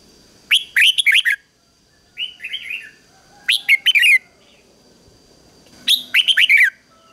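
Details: Red-whiskered bulbul kept as a decoy, singing to lure wild birds: three loud bursts of quick whistled warbles with a softer slurred phrase between, roughly every two to three seconds, faint steady tone behind.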